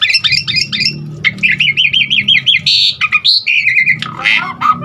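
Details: Asian pied starling giving a full variety of filler phrases to stimulate other starlings to sing: rapid twittered notes, a wavering warbled trill, high buzzy bursts and a harsh descending ending.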